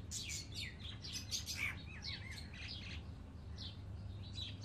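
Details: Young pet Alexandrine parakeets, newly acquired babies, giving bursts of harsh, high chirps with one wavering whistled note in the middle, over a steady low hum.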